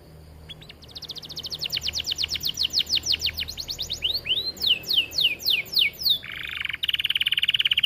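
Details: Aviary canary delivering chatty gacor song suitable for master training, a long accelerating series of rapid whistled sweeps that slows into clearer looping notes and ends in a steady buzzy trill.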